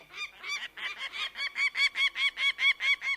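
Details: Bird of prey calling in a quickening string of sharp, reedy notes that grow louder and more regular toward the end, about four per second.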